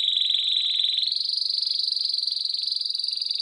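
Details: Singing canary recorded in 2017: a fast, continuous pulsed trill, a high buzzy roll that holds steady for about a second, then steps slightly higher and carries on evenly without a break, with a clean, quiet background.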